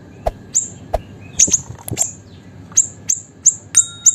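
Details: Energetic small siri-siri bird used for training and stimulating songbirds, uttering quick high piercing chips in a brisk uneven series, with a few lower clicks early on.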